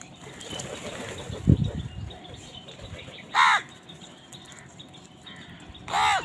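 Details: Crows fighting over food: two loud, harsh, rasping caws about two and a half seconds apart, each dropping slightly at the end, over a low background murmur and a brief thud.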